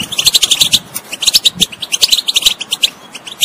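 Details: European goldfinch song, used to stir a bird that is not singing into song: rapid, bright twittering with tinkling high notes in dense bursts. There are brief pauses near the one-second and 2.5-second marks.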